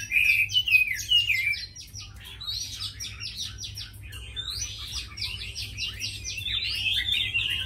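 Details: Caged tame hwamei, a fighting bird, opens with bright slurred whistles, then delivers long bursts of fast, rattling repeated notes, about two rapid series in a row, with quieter low hum in the background.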